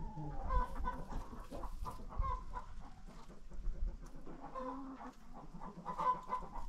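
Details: Poultry by a barn, alarmed by two hawks circling above, give scattered clucks and brief tonal notes, some quick and clipped, others slightly drawn out, against a low, rumbling outdoor background with occasional soft knocks.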